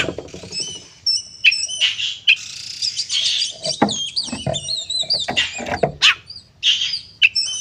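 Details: Oriental magpie-robin (kacer) in aggressive fighting song, played to provoke rival magpie-robins. A dense, nonstop run of varied whistles, slurred notes and harsh chips, with sharp clicks scattered throughout.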